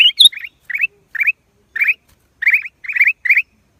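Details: Black-crested bulbul: a high squeaky note, then spaced bright rising chirps in pairs and triplets every half second or so, clear and close with no background noise.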